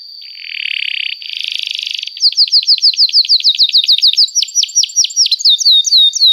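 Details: Canary in long, steady song, used to lure and teach young canaries to sing: two buzzy, grating bursts, then a fast series of sharp, down-slurred whistled notes repeated about three times a second, with a faint high steady tone behind.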